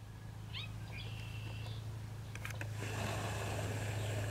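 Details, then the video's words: Male Baltimore oriole near its nest in south central Saskatchewan, Canada, June 25, recorded from a camper window about 20 feet away: faint short rising notes, then a brief steady whistled tone, under a strong low hum and later broadband noise. "Baltimore Oriole unusual quiet short rising call from near nest"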